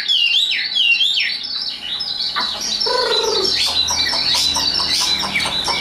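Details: Caged, hand-tamed Chinese hwamei singing high, a bird kept for fighting contests: loud, rich, varied whistled phrases of rapid sweeping notes, with a lower warbling passage midway and a continuous bright torrent of high notes after it.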